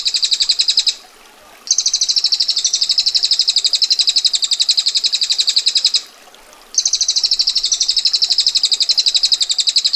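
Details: Rapid, tightly packed ticking roll from a female bar-winged prinia in the 'ngetir' style, harsh and high-pitched, given in three long bursts separated by short silent gaps.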